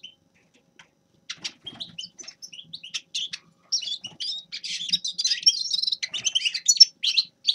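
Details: Grey-crowned goldfinch: scattered single chirps and ticks at first, building after about four seconds into a lively, continuous twitter of jangling high notes and short trills.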